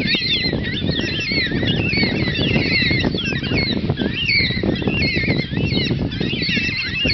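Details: A flock of black cockatoos on a farm on a Sunday morning, calling over one another with many overlapping wavering, rising and falling squawks, over a steady low rumble.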